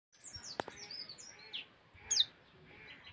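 Common tailorbird giving thin, high chirps and quick down-slurred notes at an irregular pace, with one louder falling squeak near the end and a sharp click early on.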